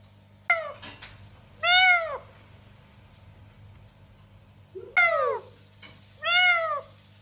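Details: Talking parrot producing four separate bursts: a sharp downward-sweeping note, then an arched, harmonic, drawn-out sound, repeated again after a pause of about three seconds, over a faint continuous low hum.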